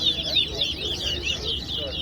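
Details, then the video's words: In a towa-towa singing match at Guyana National Stadium, a seed finch delivers a dense stream of high, slurred whistles and chattering trills, loud and continuous for two seconds, with faint low hum behind. "TowaTowa Bird Competition"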